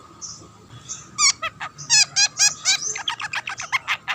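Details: Lure long-tailed shrike that sets other shrikes singing: a few soft notes, then a fast stuttering series of clipped chattering notes with rich overtones, about three or four every second.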